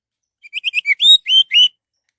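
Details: Song of an orange-headed thrush, played as a lure to set other birds singing: a single quick phrase of about seven clear, slurred whistles, the later ones longer and bending upward.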